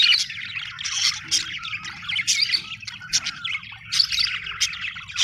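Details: Happy budgerigars give a busy stream of overlapping chirps, warbles and sharp squeaks, with bright clicks and pulses scattered through steady chatter.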